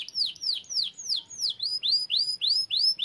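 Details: Canary song built from a rapid trill of repeated high sweeping notes, about three per second, each falling sharply at first and then changing to rising upswept notes in the second half, clean with no other sounds.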